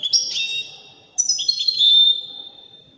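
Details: Singing European goldfinch, Widani type: two linked phrases of pure, sustained whistles that drop and level off, with a brief twittering edge at the start of each phrase.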